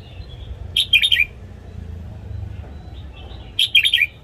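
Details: Red-whiskered bulbul sings at dawn for training caged birds: two short, bubbly phrases of quick liquid notes, nearly three seconds apart, with a faint hum behind.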